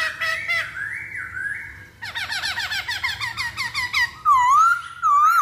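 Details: Masked laughingthrush singing as a lure for other birds: a thin whistled phrase, then a long run of fast descending slurred notes, closing with loud wavering whistles.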